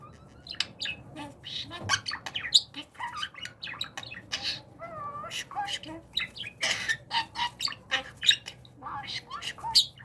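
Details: Talking budgerigar in training, indoors. Rapid run of scratchy chirps and squeaky notes, with a short wavering, voice-like warble near the middle, then more clustered chatter bursts to the end.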